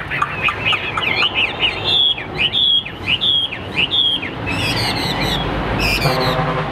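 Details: Caged Hwamei singing during a competition fighting display: bright, repeated arching whistles, then sharp high buzzy notes while background noise rises toward the end.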